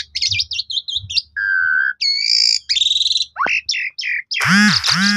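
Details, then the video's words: Varied song of a black-collared starling, played to make other starlings burst into song: buzzy chips, a steady low whistle, pulsed trills, a steep downslur and ending in harsh nasal rasps. "Jalak Suren Lain Langsung Emosi Gacor Bongkar Isian"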